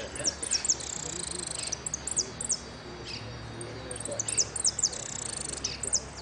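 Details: Hooded siskin competing in a singing-contest final in Merlo, giving high, quick twittering phrases of sharp descending chirps and brief buzzy trills, repeated in two bursts, with faint background chatter.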